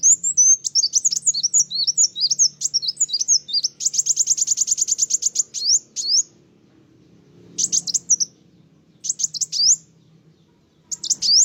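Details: Energetic sunbird song that agitates other birds: tumbling high twitters become a dense rapid trill, followed by short spaced bursts of sharp, upward-flicked chirps and brief silences, over a soft low drone.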